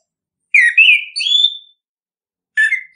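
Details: Orange-headed thrush singing, a recording meant to spur birds to sing: a drawn-out whistled phrase that dips, then climbs into a long rising note, followed after a pause by a short burst of scratchy notes.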